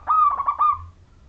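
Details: Majapahit zebra dove of local wild stock, in clear lure song to prompt other zebra doves to sing. One loud rolling phrase of fast staccato pulses on a mellow coo, trailing away.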